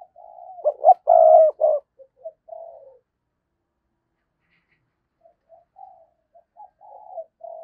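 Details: Decoy spotted dove, recorded in 2022, using its thúc and gáy calling to provoke wild doves. One loud, rough three-part coo with soft following notes is followed by a few seconds of silence, then quiet, muted cooing resumes.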